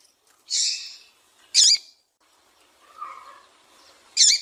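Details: Double-collared seedeater female calls aimed at prompting males to sing: a longer rasping note, then two sharp high chirps spaced over about four seconds, with a soft low sound between.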